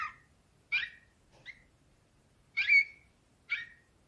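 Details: Canary, Slavujar nightingale-style singer, 2024: a handful of short, separate chirped notes spaced by long silences, with one longer slurred whistle in the middle.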